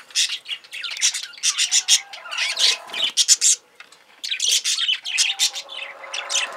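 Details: Pet budgerigar hen, a female parakeet, chattering in quick bursts of scratchy, high buzzy notes and chirps, pausing briefly before resuming the rapid warbled chatter.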